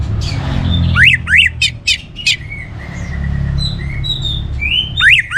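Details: Orange-headed thrush singing energetically to encourage other birds to sing: sharp downslurred and upslurred notes in quick succession, then softer flat whistles and a final pair of quick slurs.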